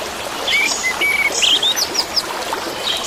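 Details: Orange-headed thrush, used as therapy for caged birds that stopped singing: short clear whistled slurs near mid pitch, then higher rising and falling notes, over a steady rush of flowing water.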